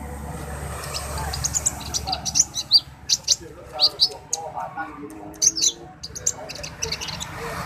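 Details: Orange-headed thrush in dacok song, delivering a busy string of sharp high chirps and quick twittering notes, some paired, while people talk softly nearby.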